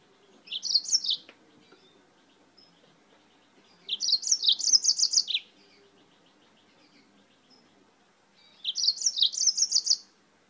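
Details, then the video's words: Yellow-fronted canary from Spain singing repeatedly, three short bursts of high, tumbling, chirpy warbling about four seconds apart, each lasting roughly one to one and a half seconds over a quiet background. "CANÁRIO-DE-MOÇAMBIQUE DIRETO DA ESPANHA CANTANDO MUITO"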